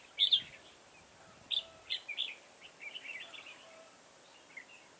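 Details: Caged decoy red-whiskered bulbul used to lure birds into a trap, recorded 9 October 2017: a loud warbled phrase opens, then a run of short liquid, chirpy notes and a final bright note.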